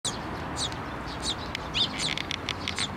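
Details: Eurasian tree sparrows flying onto a hand for food, with one chick, at a Tenmangu shrine, 17 May 2024: short high chirps repeated rapidly and irregularly over steady low background noise.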